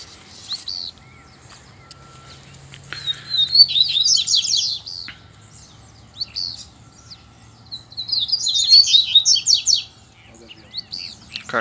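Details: Male double-collared seedeaters singing and contesting with a loose bird. Two long song bursts: a thin whistle swelling into a loud, rapid, buzzy series of falling notes, separated by a few seconds of near silence with a faint low hum.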